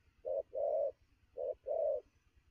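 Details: Spotted dove, newly caught and lively at midday, giving two fast couplets of low hollow coos, each a short note followed by a longer, smoother one.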